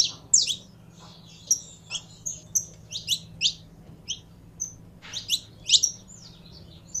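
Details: A kept saffron finch during a warm-up routine gives sparse, emphatic high chirps, some paired, with gaps of up to a second between them against a low background hum.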